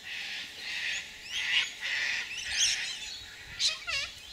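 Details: Sulphur-crested cockatoos flying acrobatically in gum trees, giving harsh, raspy screeches in uneven bursts about one a second; a brief falling whistle from another bird sounds near the end.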